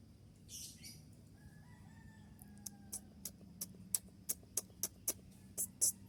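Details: Konin (kolibri ninja) singing a training song of sharp 'shot' notes meant for dawn playback: a few faint drawn-out whistles, then a fast series of short, piercing, high clicks that grow louder toward the end, over a low hum.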